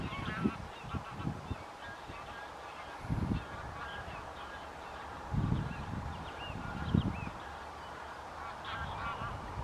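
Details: Wintering white-fronted geese at Wimpole Hall, Cambridgeshire, on 17 December 2020. Distant, high yelping calls overlap in a loose chorus, with low thuds of wind or handling noise between them.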